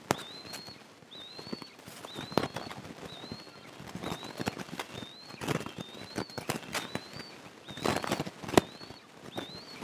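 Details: Eastern imperial eagles at a wild nest on July 22, 2024, filmed by a nest camera while the mother takes prey from the elder eaglet and feeds the younger sister; thin rising whistles repeat about once a second among tearing and scraping sounds.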